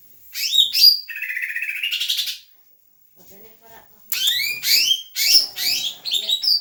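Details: Leafbird singing vigorously, with Doraemon-derived material in its repertoire: quick high chirps, then a long, even, buzzy trill lasting over a second, a short pause with faint murmuring, and a burst of rapid, sweeping, high twittered notes.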